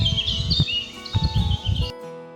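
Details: In Biebrza National Park, Poland, a Eurasian blackcap sings a rich, fast warble of varied notes over a low rumbling background. Soft music comes in at the end.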